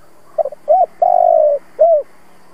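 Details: Spotted dove decoy, played so other doves start cooing, sings a clipped double note, a short coo, a long mellow coo and a closing downslurred coo.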